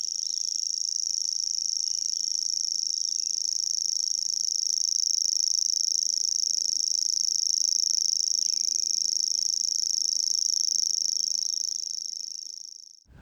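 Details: Common Grasshopper Warbler at Gibraltar Point, Lincolnshire, where two to three pairs nest. It reels a high, dry, insect-like trill, steady and unbroken, over a faint low murmur; the song can run non-stop for two or three minutes.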